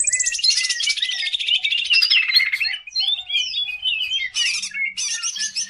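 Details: Lively greater green leafbird song, meant as a lure for training other birds, opening with a long rapid buzzy trill, then a tumbling series of whistled notes, clicks and chattering phrases.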